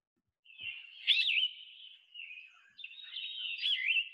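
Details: Yellow-throated Vireo singing hoarse, burry, raspy phrases at a mid-high pitch, two rough slurred strings separated by a brief pause; present in spring migration, its song is quick and harsher than the similar Red-eyed and Blue-headed Vireos.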